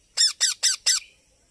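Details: Young parrot giving four loud, grating squawks in fast succession, each with a falling tail, about a fifth of a second apart, followed by quiet.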